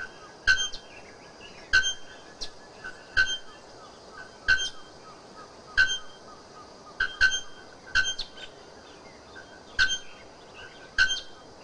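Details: Bare-throated bellbird giving loud, ringing metallic clanks, single or doubled, about every one to two seconds, over a soft background hiss.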